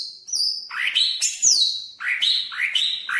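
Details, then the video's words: Greater green leafbird of the Banyuwangi type, a cucak ijo singing its first song variation: whistled notes that slide downward, mixed with high chirps and sharp rising strokes, delivered in loud bursts with short gaps between them. "Suara Burung Cucak Ijo Banyuwangi variasi 1"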